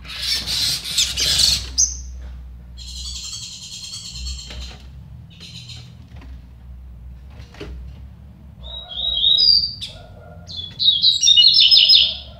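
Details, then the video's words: Song duel between two double-collared seedeaters: a noisy burst at the start, then high chattering, buzzy phrases, a gap, and later quick trilled, whistled phrases growing louder toward the end. Faint lower tones and background hum. "DISPUTA DE COLEIRO"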